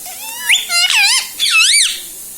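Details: Pet parrot that talks, said to say mummy, papa, mithu and radhe radhe; three loud, looping, whistled voice-like phrases rising and falling with rich overtones, over a quiet background.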